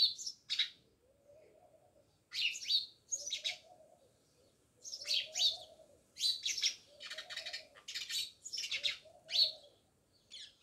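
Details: Many house sparrows near a village house at Jamnagar keep up lively chirping: sharp, high chirps in irregular runs of two to five, with a quieter low murmuring sound between the bursts.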